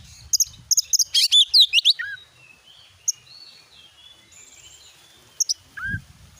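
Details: Lure recording of a white-rumped shama to spur a kept bird into song: a few sharp clicks, a loud rattling burst of notes, then a thin drawn-out whistle and scattered single notes.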